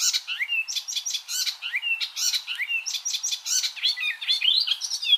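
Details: Icterine warbler in full continuous song, a rich jumble of scratchy chatter, quick whistled slurs and rising squeaky notes, mimicry-like and varied, sustained throughout with no background sounds.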